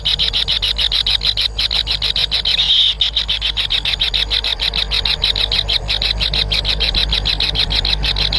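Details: Young kingfishers begging inside their nest while awaiting food from a parent, giving fast repeated rasping pulses with a brief louder churring burst near the third second, over a low steady hum.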